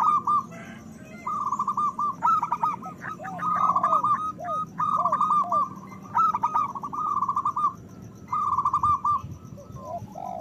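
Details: Loud song of local zebra doves, used to prompt breeding desire and singing in other doves: fast trills of clipped coo notes in several bursts, interspersed with descending slurred coos, against a constant low hum.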